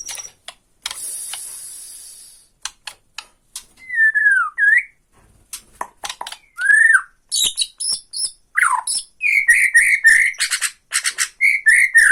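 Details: White-rumped shama from Borneo singing tretekan to goad a rival: a long hiss-like high sound, then scattered clicks, swooping whistled slurs and a fast run of short chattering notes.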